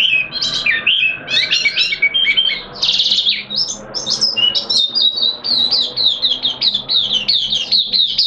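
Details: Oriental white-eye kept as a cage bird, in song during the second day of its monthly deworming: fast, bright chattering phrases of squeaky, high, sliding notes running into a long continuous warble.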